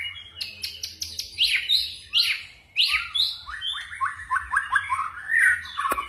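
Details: White-rumped shama singing a forest-style song with quick voice changes: a fast series of loud slurred whistles and clicks, then a rhythmic run of repeated chirping notes near the end.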